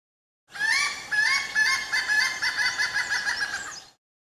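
A Malabar grey hornbill gives a rapid, cackling series of harsh, nasal notes, about two per second for three seconds, fading toward the end.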